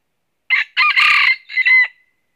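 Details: Crowing red junglefowl, used as a live decoy for trapping wild junglefowl in northern Vietnam; one loud, harsh three-part crow with a brief first note, broad raspy centre and a tapering whistled tail, no other sounds.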